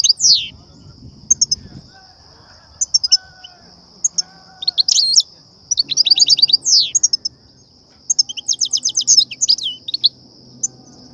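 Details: European goldfinch song of the 'btbta' and 'ststa' styles, used to excite goldfinches and lure them into trapping nets; sweeping slurred notes, rattling buzzy runs and rapid tinkling trills, over a continuous high whine and soft low hum.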